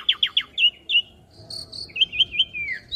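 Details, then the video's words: Asian pied starling singing, recorded as a master for young birds to imitate: three quick descending chirps, twittering whistles, then a rolling series of short notes ending in a falling slur. "Masteran Jalak Suren Muda Agar Cepat Masuk Materi Mudah Di Tiru"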